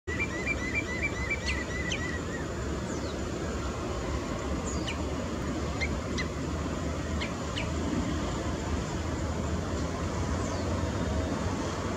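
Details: A Common Redshank, recorded in 2017, gives a quick run of about eight clear, piping whistles over two seconds, over heavy low rumbling traffic or wind noise with a few faint clicks later.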